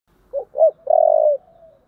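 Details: Spotted dove in the thổ (earthy, low-pitched) voice style, giving its fighting call: two short rising coos followed by one long, level, slightly wavering coo, ending in a faint trailing note, no other sounds.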